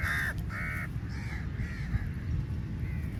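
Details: Crows at feeding time in a large flock: two strong, flat harsh caws open the stretch, then fainter distant caws trail off over steady low background rumble.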